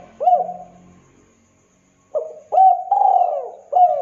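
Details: Spotted dove (tekukur) lure recording: one low hooked coo with faint hum, a pause, then a soft coo, a rising note, a long drawn falling coo and a final short coo.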